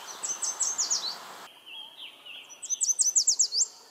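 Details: Typical Yellow Warbler song, recorded at Mount Auburn Cemetery in Cambridge, Massachusetts: a rapid fire of about six bright, high, slurred warbles, given twice, with a softer, lower sliding phrase between them.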